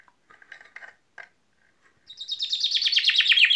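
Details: Common chaffinch: a few soft, scattered chips, then a loud song begins, a quick series of sharp notes falling in pitch, still going when the recording cuts off.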